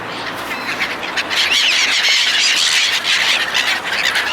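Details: A flock of seagulls being fed by people, a thick wall of shrill, overlapping squealing calls that swells and holds steady.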